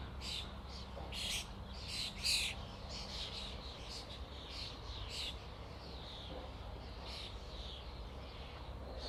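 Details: A starling flock chatters continuously with overlapping scratchy squawks and clicks, about one burst per second, loudest near the start. A low droning rumble runs underneath.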